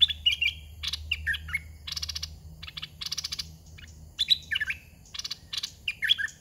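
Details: Red-whiskered bulbul used as a caged decoy to lure young wild birds. Short slurred, warbling whistled phrases recur every second or so, interleaved with bursts of sharp rapid clicking.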